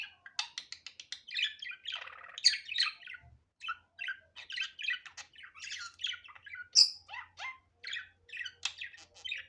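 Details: Budgerigar's natural unedited voice: continuous busy warbling of clicks, chirps and scratchy squawks, with a sharp high squeak partway through and steady rapid chatter throughout.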